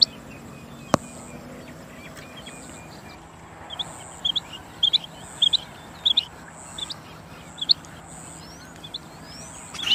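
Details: A female quail, a little distant, gives short high paired chips every half second or so in the middle stretch, after a quiet start marked by one sharp click; a steady high whine and a faint rising whistle are also heard.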